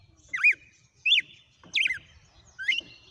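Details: Wild red-cowled cardinal in a run of 'açoites' song phrases: four loud, clear whistled slurs, rising then dropping, spaced about every 0.7 seconds, some with a trailing flat note, over faint low rumble.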